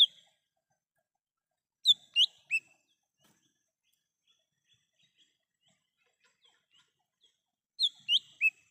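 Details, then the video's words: Wild lesser green leafbird, a recording for luring and calling: two phrases of three clear, high whistled notes, each slurred up or down, separated by about six seconds of near silence. "Suara asli cucak hijau mini / cucak Rante di alam liar bisa untuk pancingan dan panggilan"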